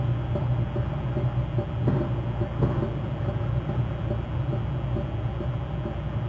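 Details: Steady low rumble of engine or traffic noise with no animal calls.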